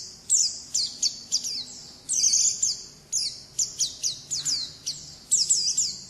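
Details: Oriental white-eye in 'ngalas' wild-type song: short bursts of piercing high chirps and sharp downslurs, grouped into clusters separated by brief gaps, roughly two or three bursts per second.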